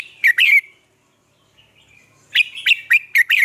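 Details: Red-whiskered bulbul lure song for drilling caged birds in Vietnam: a three-note whistled phrase, a pause, then a longer run of five quick bright slurred notes.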